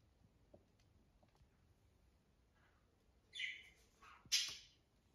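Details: A newly arrived blue-crowned conure gives two harsh, raspy screeches about a second apart, loud and high-pitched, after a few seconds of near quiet with faint clicks.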